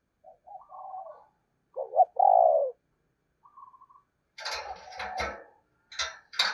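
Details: Spotted dove decoy in 'thổ' voice. Soft, wavering low notes lead into one full coo phrase, a double note then a long husky falling purr. Loud rustling and knocking noises follow at the end.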